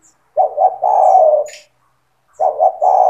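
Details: Spotted dove song for training young birds to sing: two quick low coos followed by a long sustained mellow coo, then the phrase begins again after a pause; brief high chirp in the gap.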